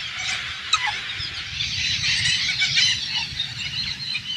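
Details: Hundreds of Alexandrine parakeets on a farm in rural Thailand, a large flock screeching together in a constant high-pitched wash of overlapping harsh calls, with occasional sharper squeals rising above the din.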